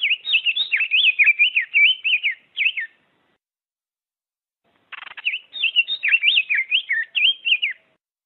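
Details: Diademed tanager song: two bursts of rapid, varied whistled and warbled phrases, each about three seconds long with a quiet gap between them, no other sounds.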